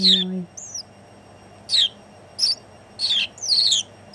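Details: On a shoulder, a house sparrow in the Netherlands on New Year's Day 2016 chirps sharply in quick bursts, with a short low hum at the very start, then several loud falling chirps near the end.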